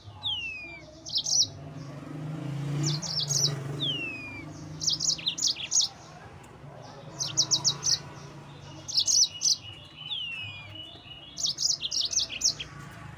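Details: Yellow-fronted canary singing to provoke rivals: short clusters of sharp high chirps repeated every second or two, with thin descending whistled slurs between them and a low background rumble.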